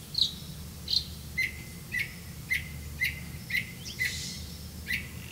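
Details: Grey-capped greenfinch catching crickets for its young; a series of short sharp chip notes repeated roughly every half second, a couple of higher notes at the start, low rumbling background.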